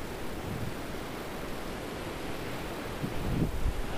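Steady wind buffeting and low surf rumble, with no clear animal calls.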